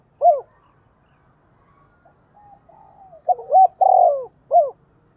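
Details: [2, 'Decoy spotted dove cooing to call a flock toward it. One soft opening coo, a near-silent pause, then a quick run of three or four rich, downward-bending coos ending in a single clipped note.']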